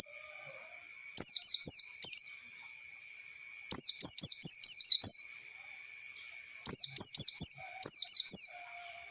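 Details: Lure song of an Oriental white-eye used to train young birds, with four bursts of quick, high, downward-slurred twittering notes separated by short pauses and a constant thin background tone.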